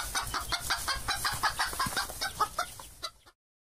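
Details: Chicken clucking in a rapid, uneven run of short throaty clucks, several per second, fading before stopping abruptly after about three seconds.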